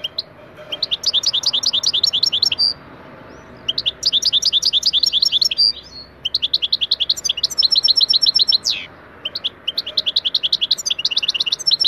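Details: European goldfinch singing a training song lesson, in a style called Taneli Çipet Bol Cibili: rapid high tinkling notes in fast repeated runs, with a few short pauses between bursts.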